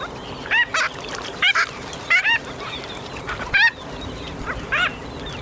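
A Marbled Godwit gives loud, nasal, laughing calls in short doubled bursts, about five bursts in five seconds, over steady background hiss.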